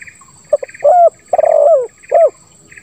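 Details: A single spotted dove phrase in 'lambung kuk 1 suara ngeruk' style: two quick short notes, a rising hooked coo, a long husky falling coo, then a closing coo. Soft pulsed insect chirps sound behind.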